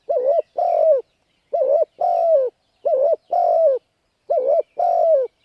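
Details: Spotted dove cooing call used to stimulate decoy birds for trapping: four phrases, each a short wavering coo followed at once by a longer, slightly falling hoarse note, repeated about every 1.3 seconds in a quiet setting.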